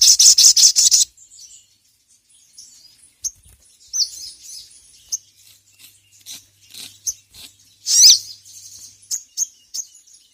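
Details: Crimson sunbird (sogon) in ngeriwik calling toward a rival: an opening second of loud, rapid shrill twittering, then a long series of sparse, thin high chirps and ticks with pauses between them.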